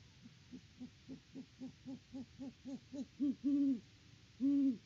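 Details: Great horned owl at the nest in Peabody, Kansas, October 2023: a series of short, low clucks quickens and swells in loudness, ending in two drawn-out deep hoots.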